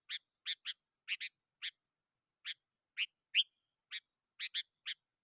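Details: Sooty-headed bulbul calling rivals to lure wild bulbuls: a steady series of about a dozen short, crisp chirps, some in quick pairs, one brighter whistled note near the middle, softly recorded.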